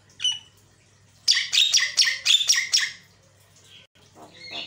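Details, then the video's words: Javan myna lure sound to provoke other mynas: one sharp note, then a dense burst of loud, buzzy, chattering squawks lasting about two seconds, ending in softer rasping notes. "pancingan jalak kebo suaranya bikin jalak emosi"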